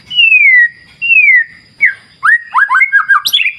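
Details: White-rumped shama singing over a clear wild river: two long clear whistles gliding downward, then a quick tumbling series of chirpy notes ending in a high sweeping flourish, with a faint steady high tone behind.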